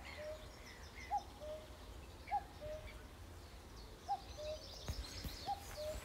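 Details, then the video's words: Cuckoo among trees giving four falling two-note calls, the higher first note sliding down to a softer lower one, amid light birdsong, low rumble and a few sharp clicks near the end. "Cuckoo Through The Trees"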